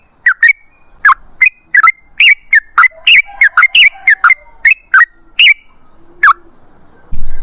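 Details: Sooty-headed bulbul pouring out a run of bubbly whistled notes in fast succession, about two to three per second, ending with a soft thump.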